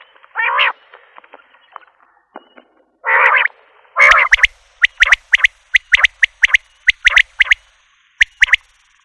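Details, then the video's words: Common quail (Coturnix coturnix): two rough drawn-out notes open, then a long fast series of sharp clicking notes grouped in twos and threes. "Batair ki Awaz , Batair Sound vol 41, Common Quail Sound 2020 |CALL COMMON QUAIL (Coturnix coturnix)"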